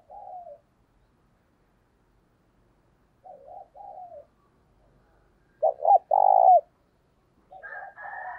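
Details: Spotted dove kept as a decoy, cooing in the thúc bổi style to draw other doves. Quiet, low coos are spaced across the clip, with one loud three-part coo: two short notes, then a long one. A higher warble ends it.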